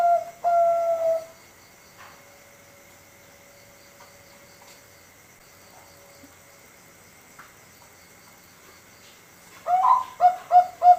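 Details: Competition-quality Bangkok-type zebra dove, five months old, from Sengkang, Wajo, a bird meant to prompt others to sing; a brief low cooing phrase opens, long near-silence follows, then a rhythmic burst of four or five hollow coos ends it.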